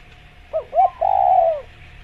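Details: Spotted dove giving one coo phrase: two brief upward-inflected notes followed by a drawn-out, slightly descending mellow coo, with a steady low hum behind and a faint thin note above.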